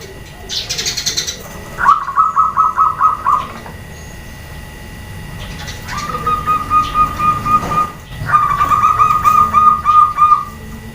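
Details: Zebra dove, female, calling so that males and other doves answer each other: a high brief chirp, then three bursts of quick, beaded, mellow coo trills of eight to twelve pulses each.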